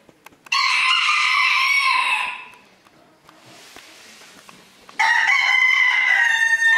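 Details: Crowing contest rooster, Villers-la-Ville, 2022, the club's first event of the year: one long ringing crow of about two seconds, a quiet gap with soft background hiss, then a second strong crow beginning.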